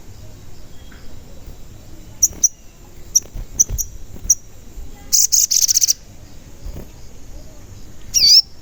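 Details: Sogon in lure song meant to provoke other sogon into singing: scattered short, very high ticks, then a quick burst of high trilled chips and, at the end, a loud wavering whistle with a faint lower echo.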